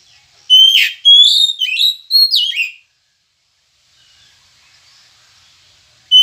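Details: Oriental magpie-robin (kacer) song, used as a morning prompt to get kept songbirds singing: loud, clear whistled phrase of rising and falling slurred notes lasting about two seconds, then silence before the next phrase begins.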